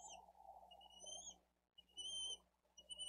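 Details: Bald eagle nestling asking for food at a Dade County nest, live camera recording from 13 April 2023 while an adult feeds the older chick; faint high drawn-out whistles, partly masked by steady broadband noise.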